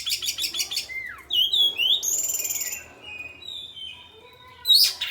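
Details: Oriental magpie-robin (kacer) singing, its style asked as either open 'ngeplong' song or 'materi' mimicked material: clear whistled slurs, sharp rising and falling notes and buzzy high phrases, with brief noisy bursts at the start and end.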